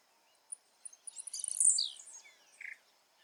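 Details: One buzzy, high burst with a falling tail from a blue-black grassquit in natural habitat. It is preceded by a few soft ticks and followed by a lower chirp from another bird.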